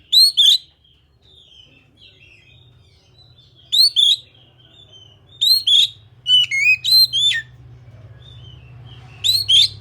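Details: Oriental magpie-robin, called kacer in Indonesia, repeating doubled upslurred whistles with harsh flicks, plus a brief run of descending whistled notes midway, low hum throughout.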